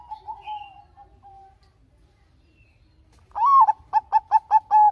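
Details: Bangkok-type zebra dove singing actively, a recording meant to prompt other doves to sing: a soft fading coo, a pause, then a loud rising drawn-out note followed by five short, evenly spaced mellow coos, all fairly low and clear.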